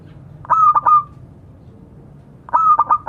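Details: Zebra dove of local stock calling to companions: two quick series of throaty, stuttering coos, each a few clipped pulses running into a steady drawn note, over faint low hum.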